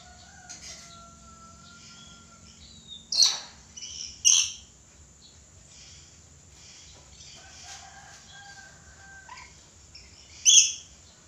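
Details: Red lory, actively vocal, giving three loud harsh shrieks spaced a second and then six seconds apart, with thin steady whistles from other birds and faint chatter in between.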